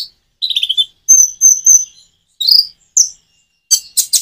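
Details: Common iora song paced with natural pauses to prompt birds to answer: a short trilled phrase, three evenly spaced clear whistles, a falling slur, and a closing burst of high chips.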